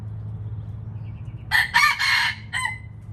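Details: A red junglefowl, white-eared, gives one brisk crow after a quiet start: three rasping bursts in quick succession followed by a short separate closing note, over a low steady hum.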